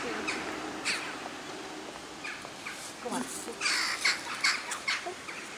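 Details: Large flock of western jackdaws flying at sunset toward roosting trees near a shopping center in The Hague, Netherlands, 11 October 2015; many short, harsh, clipped calls overlap irregularly, with faint background voices.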